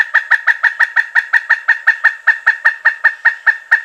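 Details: Steady series of separate, loud kuk notes from a pileated woodpecker, spaced about a sixth of a second apart for four seconds, with clear gaps between notes.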